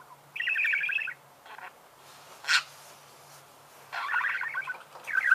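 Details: Budgerigar gives buzzy, rasping chirp phrases about a second long, separated by quiet gaps and one sharp click, with a soft low hum throughout.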